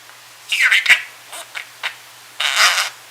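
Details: Pet male budgerigar sleepily mumbling while trying to nap indoors: soft, scratchy murmured notes in short bursts with brief pauses, some rising chirps, over a steady low hum.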